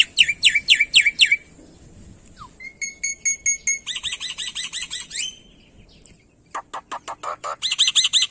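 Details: Black-winged myna (Sturnus melanopterus, endemic to Indonesia, a noted mimic) singing a loud, varied run of rapid swooping whistles, a steady piping series, buzzy chatters and sharp clicking notes, about four a second.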